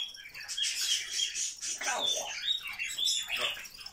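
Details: Grey parrot kept as a pet, talking nonstop: dense chattering with speech-like vowel sounds, short squeaks and sweeping whistled notes, loud and continuous over several seconds.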